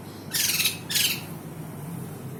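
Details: White-crested laughingthrush giving two loud, harsh, raspy squawks about half a second apart, then a steady low background hum.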